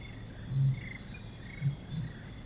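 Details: Deep, low-pitched song of a Helmeted Curassow, vocal in the breeding season: one strong low hum, then two softer, shorter low hums about a second later, over a background of faint insect drone.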